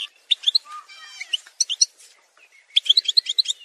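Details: Softer Algerian goldfinch singing from a montage for tutoring: scattered high chips, a faint warbled passage, then a quick series of bright repeated notes at the end.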